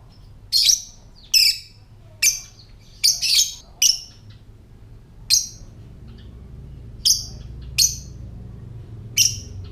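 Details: Lovebird giving its ngetik (typing) call, used to lure other lovebirds into calling and coming into breeding condition: sharp, very high, clipped chirps in irregular bursts, about a dozen in ten seconds, over a faint low hum.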